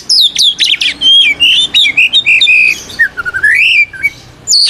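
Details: Kacer (white-rumped shama) in ngeplong fighting song calling out rivals: dense fast run of sharp chirps at the start, then long rich whistles gliding up and down, a slow rising whistle near the end.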